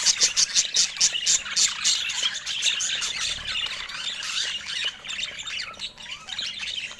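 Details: Budgerigar calls: a run of sharp, evenly spaced high chirps opens, then merges into busy warbling and squeaky chatter that thins slightly toward the end.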